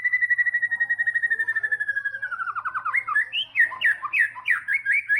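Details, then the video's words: White-rumped shama (murai batu) singing in the trotol style: a rapid, even run of clipped notes, about four per second, that slowly drops in pitch, then breaks into loud, varied whistled and slurred phrases. "MURAI BATU TROTOL GACOR! WHITE RUMP SHAMA BIRD CHRIPING"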